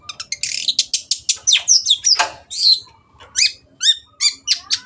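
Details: Long-tailed shrike singing lively tutor song for caged birds: a rush of rapid chattering notes, then clear sliding whistles and varied squeaky phrases with brief gaps.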